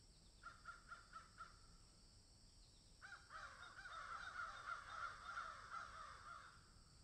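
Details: Crows cawing in a field: a short run of five evenly spaced caws, a pause, then a dense, overlapping chorus of harsh caws from several birds for about three seconds.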